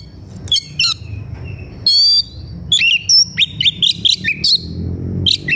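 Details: Worked-up white-rumped shama singing in search of a rival to fight: a rich, rapid run of varied whistles, trills and sharp chirps, a long buzzy phrase near the middle, phrases tumbling in quick succession over faint low background hum.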